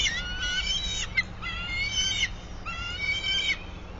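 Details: Live nest camera catches a bald eagle on its sycamore-top nest in Bluff City, Tennessee, 22 March 2024, 08:19: three drawn-out, raspy, harmonic squeals of about a second each, ending with a slight upward lift, over a faint hum.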